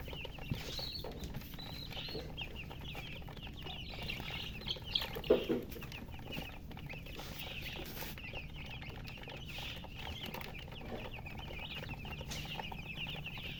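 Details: Many coloured baby chickens, thirsty for water, keep up a thin chorus of high, repeated peeps. A few louder thumps come near the middle, and a low hum continues beneath.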